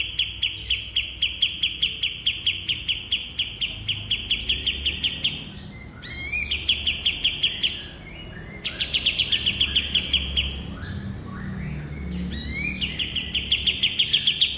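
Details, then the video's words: Cage-bird training bulbul song: long bursts of quick, evenly repeated high ticking chirps, interrupted several times by short rising whistled slurs before the rapid chirping starts again; faint low rumble beneath. "Burung Masteran Kapas Tembak"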